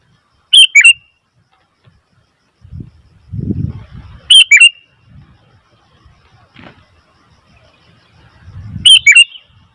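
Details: Sooty-headed bulbul giving loud, short chattering phrases spaced about four seconds apart, three in all, with low thuds and rumbling noises between them.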